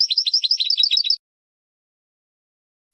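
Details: European goldfinch training song for young birds: a quick run of bright, twittering notes for about a second, then silence and a brief final burst.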